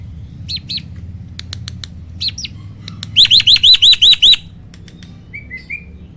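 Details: Hybrid starling, a crossbreed of Asian pied starling and black-winged starling, giving its loud roll tembak song. Paired looping notes and dry ticks lead to a fast run of seven identical rising-falling whistles. A soft warble follows near the end.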